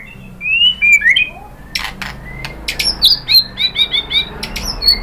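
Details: White-rumped shama singing as a lure to provoke another bird to answer: varied quick chirps and slurred whistles, then a fast run of bright repeated high notes with clicks between.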